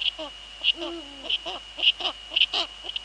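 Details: Female Eurasian eagle-owl at the nest with the male nearby, Netherlands, 19:15 on 2 February 2013: a sustained low hoot sliding downward, then a string of short falling notes, over a continuous thin high tone.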